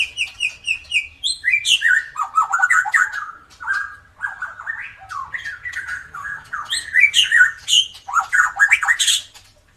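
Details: A drooping-tailed white-rumped shama sings without let-up as a lure for birds that seldom sing. High repeated notes lead into descending whistled runs, buzzy trills and rising slurs in loud, rhythmic bursts.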